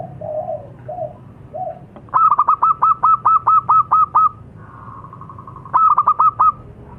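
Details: Zebra dove of a local strain opens with a few soft, low coos, then a rapid run of about ten crisp, evenly spaced notes. A quieter murmur follows before a short, bright burst returns.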